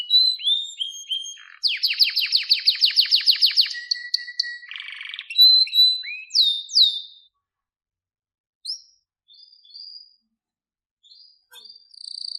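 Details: Canary song played to coax other canaries into singing: bright high whistled notes, then a fast even trill of rapid repeated notes, a buzzy rattle, then sliding chirps and scattered single whistles after a pause.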